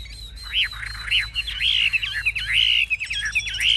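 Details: Caged Chinese hwamei in display, wings high and tail spread, known as a fierce fighter; loud arching whistles repeated about twice a second, turning into a rushed jumble of bright slurred notes over a thin steady tone.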